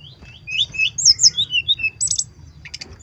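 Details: Brown-chested jungle flycatcher singing in sweet, warbling, looping whistled phrases, followed by a brief dense buzz and short chips, with a faint low hum beneath.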